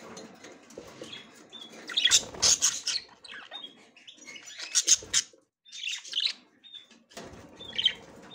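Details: Budgerigar female, ready for mating, trying to enter the nest for the first time. Bursts of loud scratchy chatter and short flat whistles are separated by brief silences.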